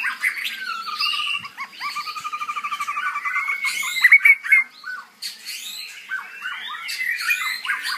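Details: White-rumped shama singing a rich, varied medley of whistles, rapid trills and sharp chirps with bright rising notes, loud and continuous in a small indoor space.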